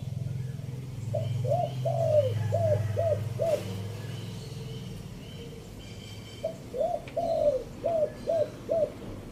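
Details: Spotted dove decoy song, three-note 'kuk' style, fifth phrase, Chiang Mai, Thailand. Two bursts of about six soft, rounded coos are separated by a pause of several seconds, over a steady low rumble.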